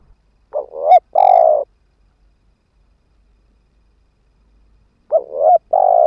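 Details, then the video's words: Spotted dove kept as a ground decoy for luring wild birds, giving two low cooing phrases about four seconds apart, each a quick double note followed by a longer steady coo; silence between. "Tiếng chim cu mồi đất kích bổi hiệu quả"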